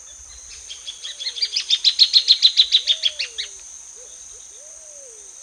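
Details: Plain thornbird (Phacellodomus inornatus) song, used as a master recording: about fifteen sharp chattering notes that swell and slightly speed up, then fade, over a steady high insect hiss and soft low whistles.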